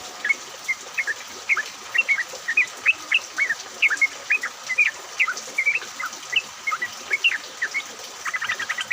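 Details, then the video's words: Group of yellow-vented bulbuls singing despite rain, played as a lure to set other bulbuls singing: short bright bubbling phrases repeated steadily, several birds overlapping, with constant soft hiss behind. "pancingan trucuk agar bunyi, pancingan trucuk ombyokan, trucuk gacor!"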